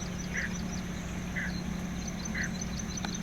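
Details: Warning sound from a male Greater painted-snipe holding his territory at Da-an sea shore, Taichung, Taiwan, in April 2016: three brief muffled notes spaced roughly one second apart, with a constant low rumble and a thin high buzzing trill behind.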